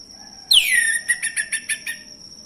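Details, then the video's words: Male orange-headed thrush singing, used as a lure to provoke silent thrushes to sing: a loud whistle sweeping down, then five short, rhythmic, harmonic notes over a steady high-pitched background tone. "ANIS MACET langsung bunyi Anis merah jantan"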